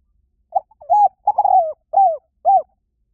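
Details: A spotted dove's call used to entice birds: a soft opening coo, a longer slurred note, a burry drawn-out coo sliding downward, and two final rounded hoots, evenly spaced over about two seconds.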